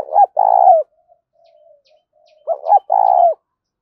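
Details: Spotted dove calling to lure wild doves, echoing over open fields: a long vibrating coo, a stretch of soft low murmuring, then a full phrase of two quick notes and a drawn-out rolling coo.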